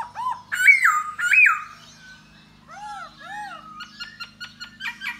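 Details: Laughingthrush singing and dancing to lure a female: two loud whistled notes that rise and then fall, softer arched notes, then quick scratchy chatter, over a low background hum.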